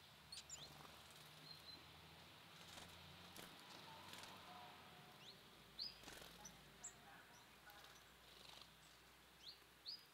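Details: At a bird feeder, several short, sharp, rising chirps come at irregular intervals across the recording, mixed with light clicks, a low rumble and a constant hissing background.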